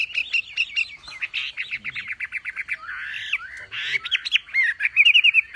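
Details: Masteran song of a Javan pied starling (wambi) with tembakan runs: quick repeated chip notes in a fast series, a buzzy rising sweep, then rapid ringing trilled whistles near the end.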